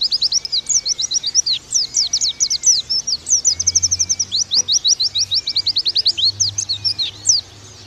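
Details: Oriental white-eye training song in the fast 'nembak' manner. A nearly unbroken chatter of high, crisp, downslurred whistles repeats several times a second, with faint lower drawn-out whistles running beneath.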